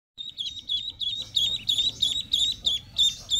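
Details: Domestic ducklings peeping: high, clear, slightly falling chirps repeated about three times a second. The calls start after a brief silence and grow louder and more overlapping.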